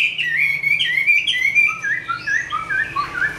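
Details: Hand-tame Chinese hwamei delivering fighting song indoors: a run of bright slurred whistles dropping and rising, followed by spaced, shorter upward-flicked notes at varied pitches.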